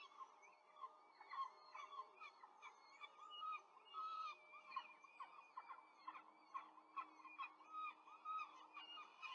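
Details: Peregrine falcons at a Rome nest site on 5 May 2023, an adult female quickly feeding four chicks under a nest camera; continuous run of sharp chirping and squealing calls, overlapping and evenly busy for nine seconds.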